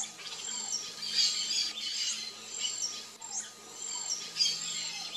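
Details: Song of a variable oriole (Icterus pyrrhopterus), called encontro in Brazil: bursts of sharp high chirps and quick upward sweeps, interleaved with soft descending whistles, phrases recurring about every second over a constant faint background tone.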